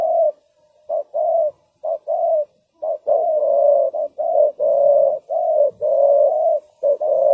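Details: Decoy spotted dove calling to lure wild doves for trapping, giving rich low hooting coos in quick runs, short notes paired with longer sustained ones, phrases tumbling almost continuously with brief pauses.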